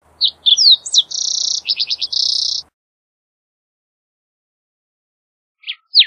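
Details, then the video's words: Green-tailed towhee singing: sharp whistled notes and quick downslurs lead into two buzzy trills with a run of rapid slurred notes between them, about two and a half seconds long, then a long silence before the next phrase begins. "Green Tailed Towhee Singing! Green Tailed Towhee Calling! - Toqui Coliverde Canto - Pipilo Chlorurus"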